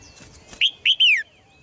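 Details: Red-whiskered bulbul in a cage, song intended to get males singing hard: brief rustling, then a single phrase of three rich whistled notes, the final one longer and sliding down.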